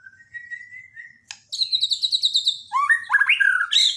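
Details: Borneo white-rumped shama song, used as daily tutor audio for shamas that have stopped singing: soft rising whistles, a sharp click, then rapid high trilled notes ending in looping, buzzy phrases.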